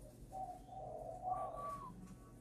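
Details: Spotted dove with a freshly broken voice, trained near Ba Vì, Hanoi, Vietnam; a single soft cooing phrase rises into a longer, level higher whistle before fading, faint hum behind.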